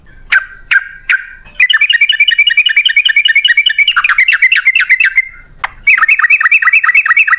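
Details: Three separate sharp notes lead into a long fast rolling chatter of a yellow-vented bulbul, then a second rippling run, played to coax caged birds into song.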